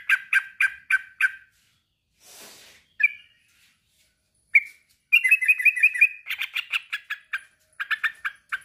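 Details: A male sooty-headed bulbul calls a rival: a run of rapid chattering notes, a soft rustle, and two isolated whistles. A fast trill follows, and chatter resumes at the close.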